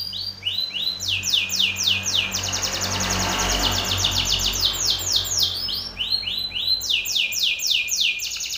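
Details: Belgian canary male singing strongly at another male: rapid rolling trills of falling whistled notes, repeated several per second, over a broad rushing noise in the middle.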